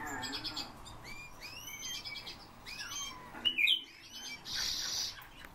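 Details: Eurasian bullfinches calling: soft arched whistled notes repeated in short series, overlapped by sharper high chirps from other birds, with a brief hissy burst near the end.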